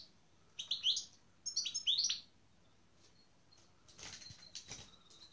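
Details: European goldfinch during a breeding pairing with a canary; two quick bursts of high, bright chirps early on, then soft rustling and fluttering sounds with faint thin notes.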